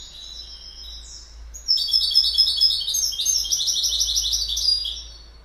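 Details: Goldfinch singing: after a quiet opening note, a fast, liquid twittering run of tinkling, jangling high notes starts near the two-second mark and pours on continuously for over three seconds before fading.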